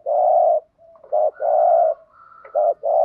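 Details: Spotted dove calling as a lure bird for trapping wild doves: long drawn-out mellow coos alternate with short notes in a steady rhythm, a faint higher tone running beneath, quiet surroundings.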